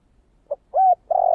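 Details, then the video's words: Spotted dove in the 'thổ kích bổi' voice style. A short soft note and a level hooting note are followed by the start of a longer steady coo that is cut off abruptly. "Tiếng cu gáy giọng thổ kích bổi"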